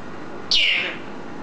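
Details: Green eclectus kept as a pet, giving a single bright whistled note that slides downward in pitch and fades within half a second.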